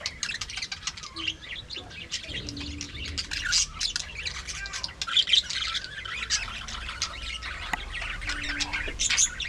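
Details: Budgerigars in an aviary colony produce a steady babble of sharp chirps and rasping twitters. A few brief, low, flat tones appear now and then beneath.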